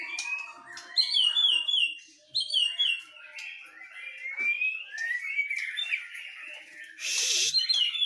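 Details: Duelling white-rumped shamas, one from Medan and one a Nias forest bird, trading high, sweet whistled phrases and slurred notes, with a brief loud hissing burst near the end.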